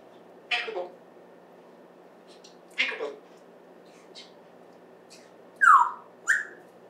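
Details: Captive African grey parrot at home, recorded September 14, 2024, with faint speech-like syllables over a low hum, then two loud whistled notes, the first sweeping downward, near the end.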